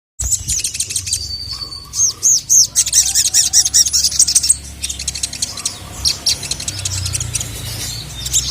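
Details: Sogon (sogok ontong), a female calling a male that answers angrily; dense high chirps and trills, rapid sharp notes and buzzy bursts delivered in quick irregular runs, with a low background hum.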